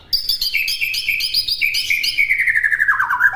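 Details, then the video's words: Master song of a white-rumped shama: fast series of high sliding whistles, about four per second, gradually dropping in pitch into a lower rattling trill. "MASTERAN MURAI BATU MUDAH DI TIRU"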